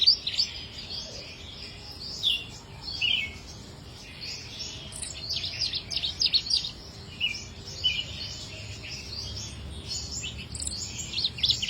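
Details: Chích nâu singing; a busy run of high twittering and warbled notes, rapid chips and short slurred phrases with brief pauses, over faint low background noise.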